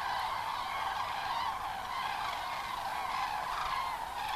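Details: Huge evening flight of common cranes into the Kelbra reservoir basin to roost, 31 October 2015: steady, unbroken din of overlapping trumpeted calls, with no single bird standing out.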